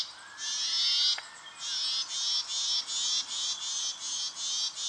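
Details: Brown treecreeper in Victoria, Australia, October 2011, giving a long run of high, fast, buzzy rattling trills in close succession, with a faint lower whistled note early on.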